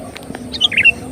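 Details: Sooty-headed bulbul song played as a lure to attract birds: a short burst of bright, bubbly chirped notes rising and falling near the end, over a faint background hum.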